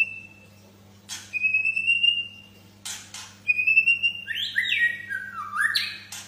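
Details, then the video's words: White-rumped shama singing: long, steady pure whistles followed by a fast run of sweeping, stepped notes, with sharp clicks between phrases and a faint hum underneath. "SUARA BURUNG MURAI BATU GACOR"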